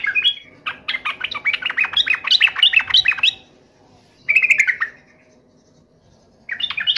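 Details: Yellow-vented bulbul answering a rival with a long chattering warbled phrase, then two shorter bubbly bursts, against a low background hum.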